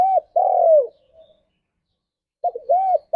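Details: Spotted dove, singing as a morning lure meant to stimulate mating drive: low mellow cooing, an arched coo and a long falling drawn-out croo, with a second phrase starting after a silent gap.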